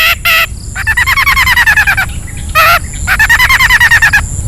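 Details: Long-tailed shrike singing ngetet, played to stir sluggish birds: harsh raspy notes mixed with fast wavering trilled phrases, repeated twice.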